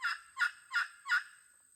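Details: Close local hen giving four rounded, slightly nasal clucks at an even pace of about three per second, each swelling and fading.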